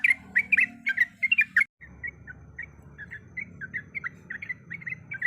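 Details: Sooty-headed bulbul, a female calling the male, in long rolling song with varied sounds. A dense burst of loud chattering notes breaks off abruptly, followed by softer, spaced whistled chirps over a low hum.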